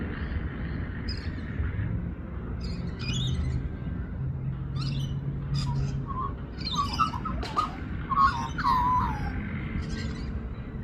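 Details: A young Australian magpie sings, with scattered chirpy notes early on building to a run of fluty, warbling, up-and-down phrases near the end, over a steady low rumble.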